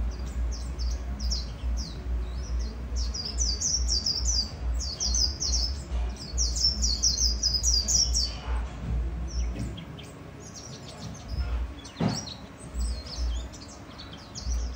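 A white-eye pours out a fast, high, twittering warble of tumbling bright notes over a low rumble.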